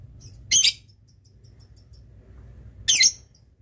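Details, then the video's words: Lovebird kept as a master tutor bird, famed for long chatter, giving two loud, scratchy, shrill bursts a little over two seconds apart. Faint high ticks fill the gap between them. "love bird yang susah bunyi ngetik , ngekek panjang"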